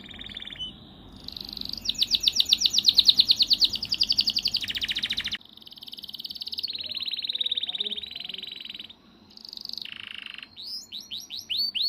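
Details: Canary, a small caged songbird, singing a long varied song: trilled rolls repeated rapidly, a sustained buzzy stretch, then rising chip notes, all high-pitched with faint background hum.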